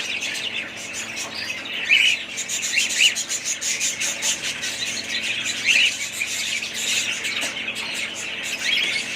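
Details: Budgerigar family birds calling together, a thick layer of twittering and squeaky squawks, with sharper louder notes standing out every few seconds.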